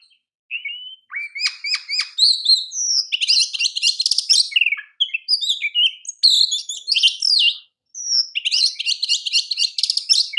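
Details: Oriental magpie-robin (kacer) master song for training: repeated sharp notes, then dense buzzy rattling bursts alternating with sweet whistled slurs, almost continuous over ten seconds.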